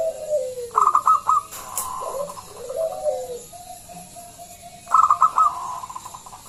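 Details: Local zebra dove with a large voice, played to invite other doves to sing: a sliding coo, a burst of clipped rapid notes, a brief sharp click, more rolling coos, then another staccato burst.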